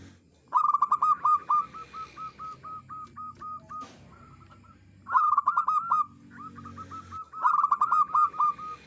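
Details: Local zebra dove, used as a lure to trap wild birds, singing clearly: rapid staccato cooing notes that start fast and slow into evenly spaced coos, in three bursts with quieter answering coo series between them.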